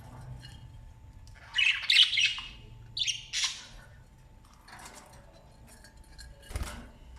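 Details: Australian parrots feeding newborn chicks, with harsh broadband squawks in short bursts near two and three seconds, then scattered softer chirps, a faint steady hum throughout.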